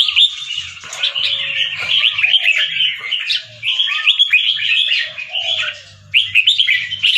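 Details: An albino Red-whiskered bulbul with white plumage and red eyes, a caged competition bird in Chonburi, Thailand, in song training. Rich, varied warbling bursts separated by short pauses, over a low steady hum and soft lower whistles.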